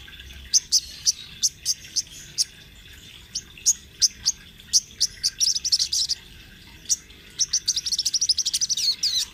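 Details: Sunbird in lively rolling song used for training other birds: sharp high ticks spaced at first, then speeding into a dense, rattling trill near the end.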